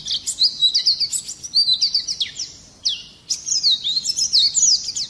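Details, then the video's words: Harsh rolling 'ngerol nembak' song of an Oriental white-eye, meant to stir other birds into singing: quick high chirps and downslurred notes in fast bursts, broken by a brief gap near the middle. "Pleci gacor ngerol nembak kasar cocok mancing emosi"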